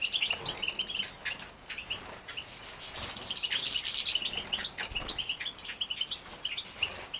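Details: Young captive-bred European goldfinches being fed in Poland, 2017: dense high chirping and buzzy begging notes, many short tweets repeated rapidly, with wing flutters and rustling throughout.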